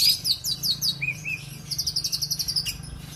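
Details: Song of a kept oriental magpie-robin from Aceh: several bright, high, down-slurred whistles and two lower rising notes, followed by a long, even, rapid trill of sharp repeated chips. A steady low hum sits beneath.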